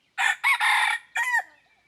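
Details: Red junglefowl used as a decoy to lure wild junglefowl, giving one loud crow: two short harsh notes, then a longer sustained note, a brief gap and a clipped falling final note, with quiet surroundings.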